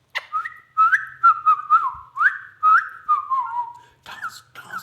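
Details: Pet ringneck parakeet, one of a pair, mimicking a whistled tune: a run of clear whistled notes rising and falling, some slurred downward, with brief pauses between phrases.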